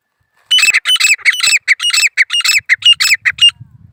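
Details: Loud grey francolin call: a quick, evenly paced series of harsh, ringing squawks lasting about three seconds, in near silence.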